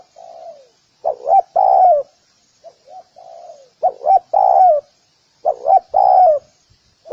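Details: Spotted dove cooing as a decoy lure: three loud phrases of two quick coos and a long descending coo, each preceded by softer, quieter cooing notes.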